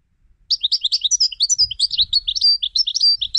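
European goldfinch song: a fast, liquid twitter of high tinkling notes and trills, running almost without pause, with a faint low rumble beneath.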